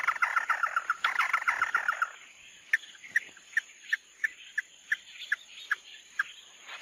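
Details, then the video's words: Mắt đỏ (red-eye) bird singing: two seconds of a fast, buzzy chatter of notes, then sharp separate clicks repeated about every third of a second, over a steady high hiss. "Tiếng chim Mắt Đỏ mới nhất"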